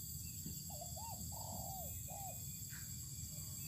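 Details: Spotted dove in the sun on open ground, one clear coo phrase: two short curved notes, a long coo falling away, and a short final coo, with low rumble and high insect buzz behind.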